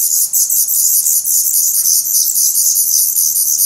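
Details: A Black Redstart nest in Portugal, 17 May 2020: well-feathered, fast-growing nestlings beg hungrily in a continuous run of sharp, very high, rasping pulses, roughly three or four each second.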